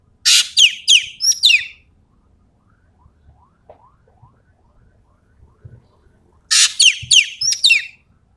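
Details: Common green magpie from Sumatra in full, vigorous song: a burst of rasping squawks and quick falling whistled notes, then near silence with faint low sounds, then a similar harsh phrase returns.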